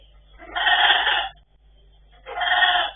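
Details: Pet blue-and-yellow macaws indoors give two loud, harsh, drawn-out squawks, each under a second long and separated by a short silent pause, with a faint low hum behind them.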